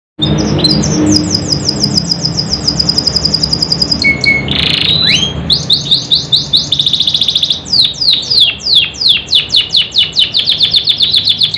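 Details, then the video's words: Canary song used to prompt silent or reluctant canaries into singing: fast rows of high downslurred whistles, a rapid buzzy trill, a brief harsh burst near the middle, then loud repeated swooping notes. "PANCINGAN KENARI MACET BISU MALAS BUNYI | CANARY SINGING"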